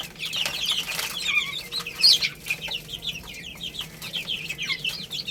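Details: Chorus of baby chickens eating rice, many overlapping high, thin peeps, some falling and some rising, packed closely together, with soft clicking pecks underneath and a faint steady hum.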